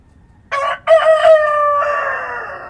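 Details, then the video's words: Single dawn crow from a rooster in rural ambience: clipped opening note, short pause, then a loud, harmonic, drawn-out call that drops slightly and continues to the end. "Rooster Crowing at Dawn"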